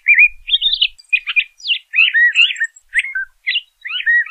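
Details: LeConte's thrasher sings a dense, fast sequence of slurred whistles and buzzy warbled phrases, rising and falling with hardly any pauses.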